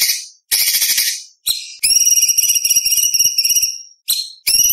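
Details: White-rumped shama in active competition-style song, full of varied fill phrases and 'shots', used to tutor speckled young shamas: ringing, harmonic high whistles in bursts, one long sustained whistle with a chattering undertone, short pauses between phrases.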